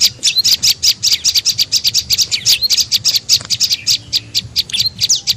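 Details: Lure call of an olive-backed tailorbird for attracting birds: quick, bright, high-pitched chips in a fast even series, some notes flicking upward, over a low background hum.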